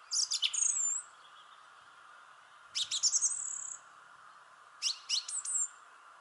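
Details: Thrush song from a shrubbery tree: three bursts of very high, thin twittering, each a quick stuttered cluster followed by a drawn-out squeaky whistle, separated by short silences over a low hum.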